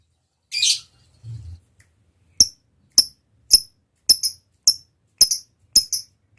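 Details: Lovebird lure audio: one rough buzzy note, a pause, then a series of sharp high ticking chirps, some doubled, about every half second.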